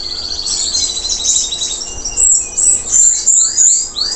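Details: Canary of a local type, recently through its moult and singing steadily: a long, fast, rattling trill gives way to bright high notes and repeated curved, descending whistles.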